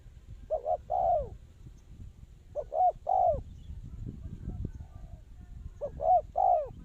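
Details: Trapping lure spotted dove giving three spaced coo phrases. Each has two short notes and a longer slurred ending note, separated by pauses filled with low rumbling background noise and a faint distant coo.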